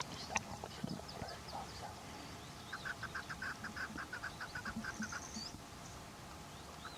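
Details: Chukar partridge (keklik) calling: after a few scattered sounds, a long even series of short, clucking chuck notes repeated rapidly, with faint higher bird notes and broad background hiss.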